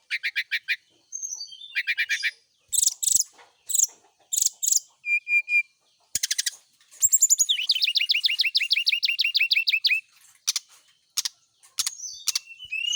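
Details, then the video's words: Brown-chested jungle flycatcher kept by a keeper, set out in the morning dew so it sings often; rapid trilled phrases, high sharp notes and a long buzzy rattling series alternate with short pauses. "pengembunan SRDC di pagi hari biar rajin bunyi."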